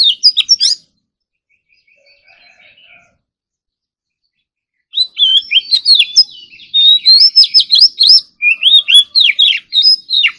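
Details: Oriental magpie-robin, a kept ornamental bird, in morning singing practice, competition style. A short whistled burst and quiet chatter precede a long, loud stream of rapid varied whistles, slurs and sharp chips.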